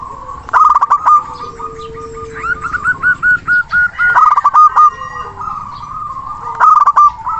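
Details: A local zebra dove (perkutut) with a big, mature voice, used to call rivals and prompt silent birds to sing: rapid bursts of short, hollow, staccato coos, several notes a second, rising and falling slightly, over quiet hiss.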